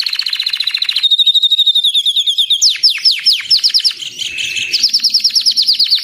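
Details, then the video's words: White Belgian canary with a crest sings rolling buzzy trills, a run of fast descending sweeps, and a closing quick high trill, all delivered without pause. "Canário belga branco de topete cantando"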